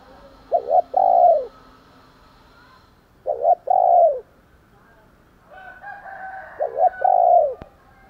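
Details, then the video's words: Morning calling of a spotted dove provoked to fight: three evenly spaced phrases, each a quick double note followed by a longer drawn-out low coo, with faint other birdsong in the background. "cu gáy thúc đấu, và gáy gọi buổi sáng"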